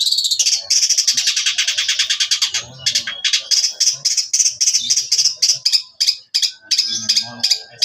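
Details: Priangan long-tailed shrike, a young bird freshly out of spotted plumage, in full song: a continuous harsh rattling burst that breaks into rapid clipped high notes repeated several times a second, with faint low sounds underneath.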